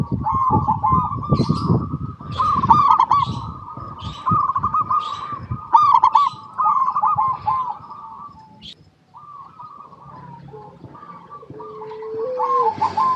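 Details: Chorus of local zebra doves, offered as a lure so other zebra doves answer: repeated warbling trilled coos with scattered high chirps, a brief lull, then a long low even whistle and more coos.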